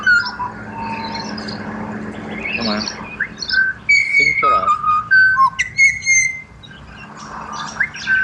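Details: Pied butcherbird in Australia singing clear mellow whistles in separate phrases, level and gently falling tones scattered through the stretch, while people murmur and talk briefly in the background.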